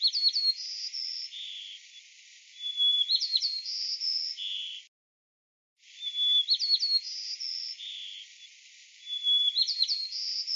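House sparrow giving a short, high phrase of chirps, thin whistles and buzzy notes, repeated about every two and a half seconds, with a brief silent break midway.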